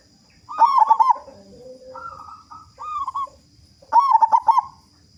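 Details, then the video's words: Local zebra dove with a strong voice, singing actively to prompt other doves: a loud stuttering coo, then softer lower and higher coo phrases, and a final loud rolling phrase. "Perkutut Lokal Gacor Suara Besar Pancingan Burung Perkutut Agar Cepat Bunyi"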